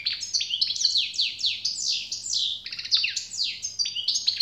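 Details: A European goldfinch sings steadily and generously, a flowing stream of downward-slurred, liquid notes and chattering twitters with hardly a break, over a quiet constant hum.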